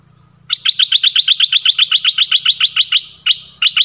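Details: A nok dok taeng decoy bird in the forest, 13 January 2021, calling to attract a mate: a fast rapid-fire run of about twenty bright chirps, then two more short notes.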